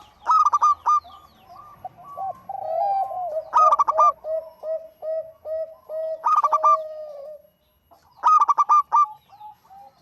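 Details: Actively singing local zebra dove, recorded as a lure: four loud rapid-fire coo bursts separated by strings of softer downslurred notes, with a short silent pause near the end.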